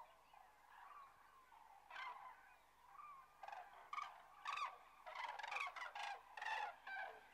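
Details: Grus grus resting south of Kastlösa in September 2013; after a quieter start, a flock builds into loud, rattling bugles, several birds answering each other in quick bursts roughly once a second.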